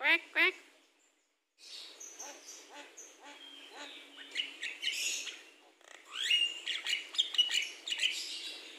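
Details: Javan myna, called jalak kebo and said to be in full voice, kept in a private aviary planted as a mini forest. Two loud harsh notes open the recording, then a pause and varied scratchy chatter and shrill whistles.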